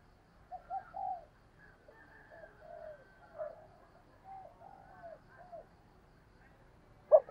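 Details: Spotted dove decoy cooing, urging and coo calls used to set off other doves: soft, low hollow coos in scattered groups over about seven seconds, with a sharp louder note at the end.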